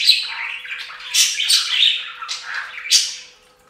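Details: Pet budgies splashing in a fountain, a dense scratchy twitter broken by loud sharp chirps, fading out at the end.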